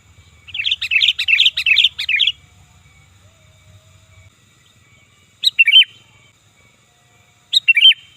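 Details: Loud sooty-headed bulbul sound used as a lure: a rapid burst of five rich, chattering fluty notes, then silence, followed by two separate short two-note phrases spaced about two seconds apart.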